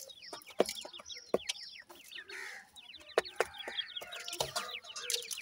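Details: Five captive-reared black francolin chicks, 26 days old, three females and two males: dense overlapping chorus of short, high, downward-slurred peeps, with sharp clicks and taps scattered throughout.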